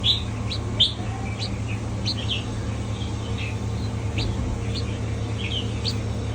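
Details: Mutant red-whiskered bulbul giving short bright chirps and brief whistled notes, irregular and scattered through the clip, over a steady low hum.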